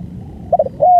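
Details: Spotted dove giving its full, long-duration song: a few short, soft mid-pitched coo notes, then a louder, smooth drawn-out coo after a brief pause.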